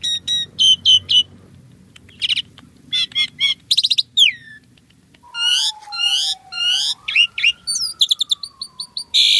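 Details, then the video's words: Asian pied starling in lively, varied song: clipped chirps, rattling bursts and a descending whistle, then buzzy repeated notes over a long smooth low whistle that dips and rises, ending in harsh chatter. "SUARA BURUNG JALAK SUREN GACOR FULL ISIAN MEWAH"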